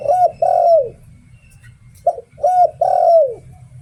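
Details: Decoy spotted dove in 'Liu Tan' song: a rounded coo and a long falling coo, a pause, then a quick short note, a mid coo and a drawn-out descending coo, against a faint low background hum.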